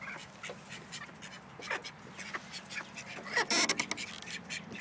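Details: A pair of snowy call ducks give a run of short, harsh, nasal quacks in quick irregular bursts, with a louder cluster near the end over soft background noise.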